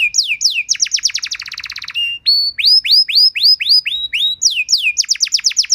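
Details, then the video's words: Canary song used as Indonesian masteran to train canaries: downslurred whistles, a fast buzzy trill, steady and rising whistled notes, then another rapid descending series. "Masteran dan Pancingan Burung Kenari Biar Punya Lagu Mewah!"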